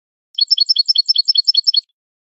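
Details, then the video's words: Canary singing in the malagueño style from a training recording meant to teach song: a fast trill of paired high chirps repeated about ten times over one and a half seconds, with silence around it. "canto malagueño"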